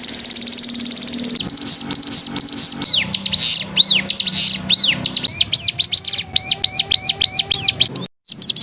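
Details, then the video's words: Canary master song for training other birds, recorded indoors: a fast high trill, then varied arched whistles and quick chips repeated in lively phrases, with faint background hum. "Masteran Kenari"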